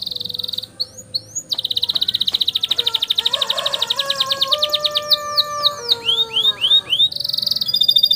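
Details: Long canary roll meant as master song for tutoring young canaries: a few swooping whistles, then a sustained rapid even trill lasting several seconds, ending in curved slurred notes and another short buzzy burst.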